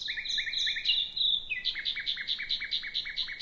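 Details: Common nightingale males singing at night in Britain, rival males in adjacent territories competing, the second joining about two hours after midnight: rising whistled notes then a fast run of sharp repeated chirps, about three per second.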